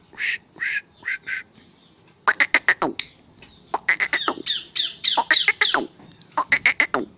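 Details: Angered Pakistani Kohati black francolin, a desi kala teetar, uttering harsh squawking notes in irregular bursts, some nasal and drawn out, others short and clipped in quick clusters.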